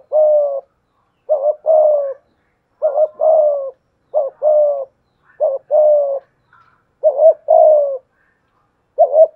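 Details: Decoy spotted dove of the 'thổ pha thúc' voice challenging a wild dove: around seven repeated coo phrases, a short broken note then a longer low coo, spaced roughly every second and a half; quiet background.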